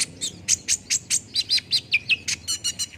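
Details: Steady series of sharp, high olive-backed sunbird chips, about five per second, interwoven with brief warbled whistles, used as a lure for a quick singing response.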